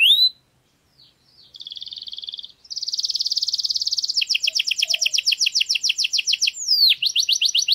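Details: In a garden, a canary pours out a sustained buzzy trill that shifts into rapid pulsed rolls, followed by a swooping note and fast repeated phrases.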